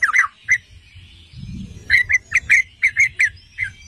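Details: Yellow-vented bulbul, known locally as trucukan or merbah cerukcuk, singing; the recording is used to provoke other bulbuls into singing. Short bubbly phrases, one brief burst and then a quicker run of gurgling notes with pauses between them.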